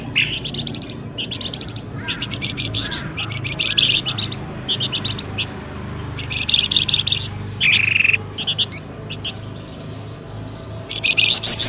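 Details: Bird lure, pelamboyan ribut, to bring birds out of scrub: spaced bursts of rapid high chattering chirps, a few clear downward notes among them, with a low background rumble.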